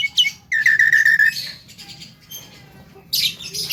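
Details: Young Javan myna singing in the full isian style: a loud buzzy whistled phrase, a quieter gap, then a burst of hissy, scratchy high notes.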